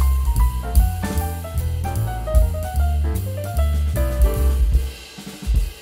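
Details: Jazz with drum kit, bass and melodic instruments plays throughout, and no animal is heard.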